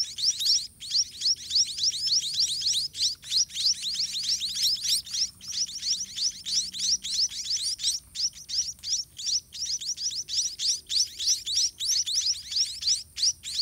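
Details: Nestling white-rumped munias beg as a parent regurgitates food into the nest: sustained, high, squeaky chirps pour out in quick overlapping series, several a second, with short gaps, over a faint low hum.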